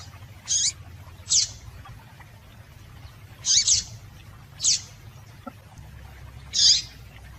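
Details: Female double-collared seedeater calling to stimulate males: five short, high, sharp chip notes at irregular spacing, some doubled, over a faint low hum.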